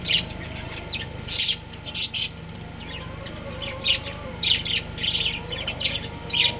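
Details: Pet budgerigar breeding pair chattering busily, with dense runs of high, scratchy chirps and squawky notes, some in quick doubles, over a faint steady hum.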